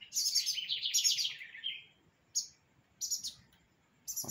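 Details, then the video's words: Bigodinho, or lined seedeater, performing its pirata-style song: a rapid rattling trill that drops slightly in pitch over nearly two seconds, then separated high chips, with faint low background noise. "BIGODINHO PIRATA DO NOSSO AMIGO ALLISON CANTANDO MUITO BONITO SEMPRE DANDO UM SHOW DE MELODIA!"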